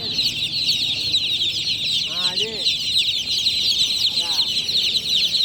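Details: Newly hatched chicks chirping at night in a steady, shrill group chorus, interrupted twice by short lower voice-like harmonic sounds.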